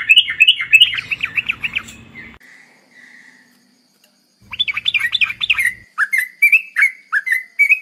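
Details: Sooty-headed bulbul song played as a lure for bulbuls, with fast chattering warbled phrases, a pause, then quick bubbly notes followed by clear whistled phrases repeated roughly twice a second.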